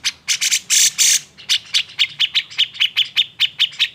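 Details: Excited grey-cheeked bulbul, known locally as cucak jenggot, using its agitated song to prompt lazy birds to sing: four loud harsh scratchy bursts, then a fast even series of about fourteen sharp high clipped notes.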